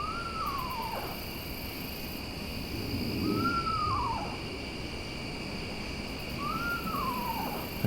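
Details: Eastern Screech-Owl at night on an autumn evening near a trail, keeping parallel to it, giving three descending, horse-like whinnies about three seconds apart; it sounds far away but is actually close, over a steady hum of night insects.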